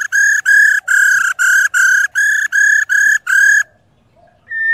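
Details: White-cheeked laughingthrush; female ro call; stimulating males to sing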